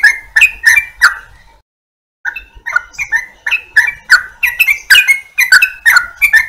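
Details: Yellow-vented bulbul song: a few gurgling notes, a brief pause, then a quickening stream of chirpy, bubbling phrases at a middle pitch, heard clearly without other sounds.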